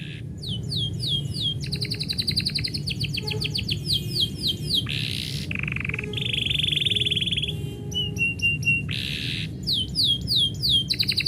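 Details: Varied canary song produced as its owner is leaving: rising sweeps, rapid trills, harsh buzzy bursts and a sustained rolled tone, alternating through the phrase over low room noise.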